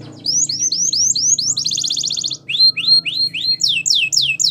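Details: Belgian canary song used for training, built from series of quick upswept whistled notes broken by a dense buzzing trill near the middle, with a faint low hum underneath.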